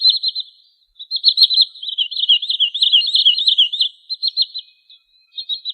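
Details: Sandpiper known locally in Indonesia as trinil sawah, giving rapid runs of sharp, high chirping notes in quick bursts, some trilled, with brief pauses between series; clean background without other sounds.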